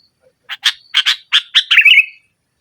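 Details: Sooty-headed bulbul singing hard against a rival to stir a silent bird: a quickening run of harsh, buzzy notes ending in a short warbling trill.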